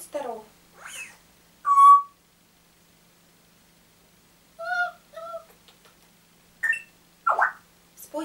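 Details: Pet African grey parrot that rises very early and wakes everyone, giving clear whistled notes and short chirps, some steady, some rising, in brief bursts with pauses while its owner talks and asks it to sing.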